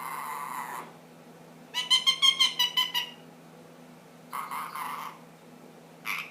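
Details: Ten-month-old pet ringneck making assorted funny noises: a soft, hoarse, breathy sound, then a quick run of about eight clipped nasal pulses, then more husky, breathy bursts.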